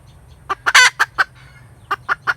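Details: Hen cackling: a few short, clipped clucks, then one loud harsh drawn-out squawk, a brief pause, and another run of sharp clucks, over a low steady hum.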